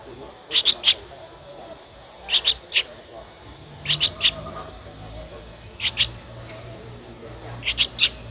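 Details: Thirteen-day-old Streak-eared Bulbul chick in Ubon Ratchathani, Thailand, recorded 15 April 2023, giving repeated bursts of two or three shrill, clipped chirps roughly every one and a half to two seconds, with a low hum beneath.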